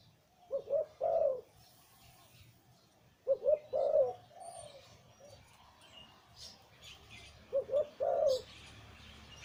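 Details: Zebra dove breeding male of the liu tan type with a deep voice, giving three cooing phrases spaced several seconds apart, each two short notes then a longer rolling coo, over light background noise.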